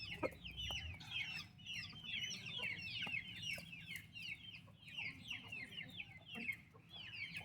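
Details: Healthy, active turkey chicks beside their mother keep up a busy chorus of thin, high cheeps, rising and dropping in quick succession, roughly two a second from many birds. Scattered taps and low rumbling noise sit underneath.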